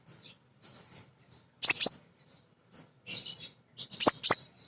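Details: Female kolibri ninja sunbird kept as a lure bird to provoke others into song; short bursts of very high, sharp chips and buzzy twitters separated by brief pauses.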